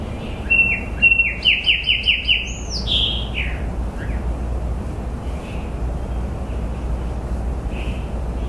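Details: A single sung phrase near the start: a quick series of crisp downslurred chirps, then a loud high swoop dropping to lower notes, after which only soft distant calls and a constant low hum remain.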